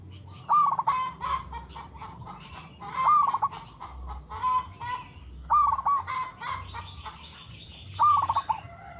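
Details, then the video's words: Local zebra dove giving a lively song used as a lure: bursts of rapid cooing notes with a rising whistled tone, repeated about every two and a half seconds, over low background hum. "TERATUR PERKUTUT LOKAL GACOR SUARA TERATUR"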